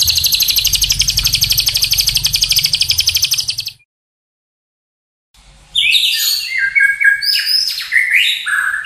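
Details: Long morning training recording of white-rumped shama (murai batu): a dense fast trill for nearly four seconds, a gap of silence, then a jumbled burst of harsh, rapidly changing whistles and chatter.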